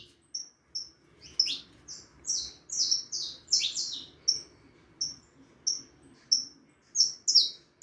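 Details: Young harlequin saffron finch at four and a half months, singing separated high thin notes interspersed with short clusters of louder swept chirps, spaced roughly every half second, with soft low background murmur.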